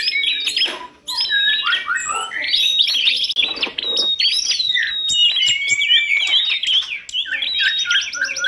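Lively, varied songbird medley of rich whistles, rapid chattering trills and sharp squeaky notes tumbling over one another almost without pause; no other sounds intrude.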